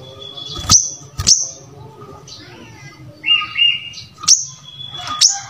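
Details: Brown-throated sunbird singing, used as a model to teach other birds to sing: scattered sharp, high, thin chips and short twittering phrases with longer pauses between them, over a faint low hum.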